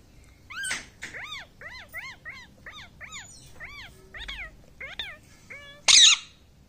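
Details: Indoor talking parrot repeats short, arched, nasal notes about every half second, around a dozen in sequence, ending in a harsh loud burst.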